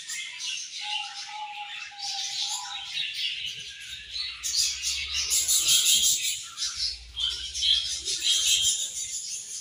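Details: Budgies chattering over their morning feed: overlapping high chirps and warbled twitters, with a faint steady whistle-like tone early on and the chatter growing louder and denser midway.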